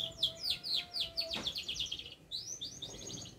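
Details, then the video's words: Canary in full song while learning to shake its head: fast series of downward-sweeping high notes, several to the second, then a pause and a brighter run of short rising notes. A faint steady hum lies underneath. "kenari gacor"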